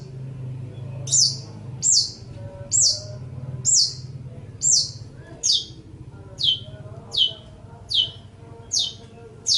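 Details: Cendet, or long-tailed shrike, singing a training recording for other songbirds. Clear, sharply falling high notes repeat about twice a second in an even, steady series over a low hum.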